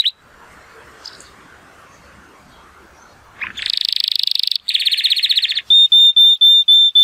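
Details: Sunny-day training song by a male Timbrado Español canary rated 83 points, born 2018: after quiet background hiss, a rising note launches into dense buzzing trills, then clear whistled tones pulsed several times per second.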